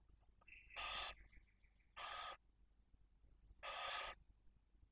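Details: Barn owls at the nest in Cabañeros National Park, Spain: a female with two chicks aged one and four days, the male bringing prey. Three harsh, breathy hisses sound at uneven intervals, with a faint thin whistle near the first.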